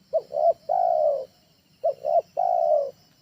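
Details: Spotted dove trained call, used at home as a lure for other birds: two short hooting notes followed by a long drawn-out mellow coo, the three-part phrase given twice, clean and without background noise.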